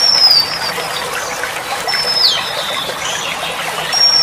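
A female Oriental magpie-robin gives thin, high whistles that slide downward, about one every two seconds, over a steady trickling hiss like running water.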